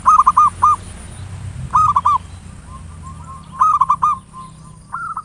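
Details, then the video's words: Local zebra dove giving ngayer nulop lure song to spur other doves to sing: several punchy phrases of rolling coos every one to two seconds, with quieter single coos between. "Perkutut lokal PANCINGAN SUARA NGAYER NULOP ampuh merangsang cepat EMOSI BUNYI GACOR"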